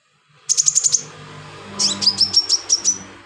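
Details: Actively singing sunbird, used as filler material for tutoring other birds: a quick string of six high, even ticking notes, a short pause, then a longer series of sharp, slightly downslurred whistled chips.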